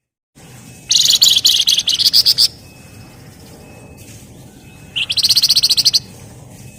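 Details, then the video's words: Javan fulvetta delivering dense ngebren song: a long, loud rattle of quick shrill notes lasting over a second, then after a pause a second, tighter burst of rapid chips. "Burung Flamboyan Gacor Ngebren Rapat/ Wergan Jawa"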